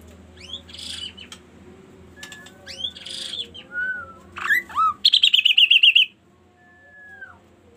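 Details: A kaso-kaso bird sings a highly varied song, said to prompt other birds to call, of thin high whistles and downslurred notes, then a fast rolling trill of about ten notes, over a low steady hum.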